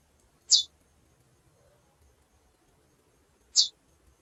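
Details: Two loud, high, clipped chip calls about three seconds apart from a female chestnut-bellied seed finch, with quiet between.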